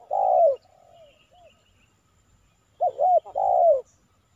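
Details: Tekukur cooing during decoy trapping in Silaban village, Lintong ni Huta; a loud long falling coo, then softer distant notes, then a close phrase of two arched notes and a sustained downslurred coo.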